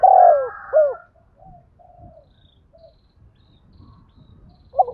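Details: Decoy spotted dove calling to lure other doves: one short burst of low, burry cooing notes at the very start, then near silence with only faint murmurs and a soft low rumble.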